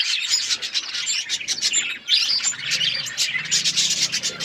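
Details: Colourful pet budgies chirping in a continuous lively mix of high tweets and rasping, buzzy chatter, with a low hum underneath.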